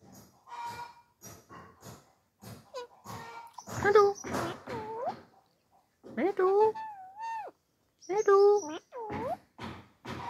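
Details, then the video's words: Pet parrot talking in a home, giving a run of speech-like phrases with tonal, wavering, bending syllables in short bursts and pauses between them, a human voice also present. "parrot talking"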